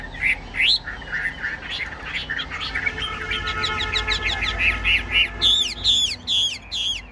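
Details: Tame fan-tailed Chinese hwamei in a cage, Vietnam, in loud continuous song: varied warbled whistles give way to a fast rattling series of notes, ending in strong, high, clear repeated phrases.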